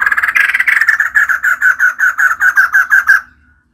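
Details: Female white-crested laughingthrush: a quick series of harsh, clipped notes, about five per second, slowing slightly and ending in a thin fading tone.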